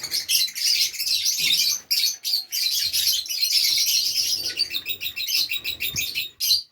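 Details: Nearly unbroken high twittering and squeaky chirps from pet Fischer's lovebirds kept with nests in Safi, Morocco, dipping only briefly twice.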